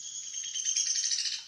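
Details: A Downy Woodpecker, a winter bird at Sutton, Québec, gives a quick, high-pitched whinny of sharp notes that runs together and trails slightly downward, heard through a little room echo.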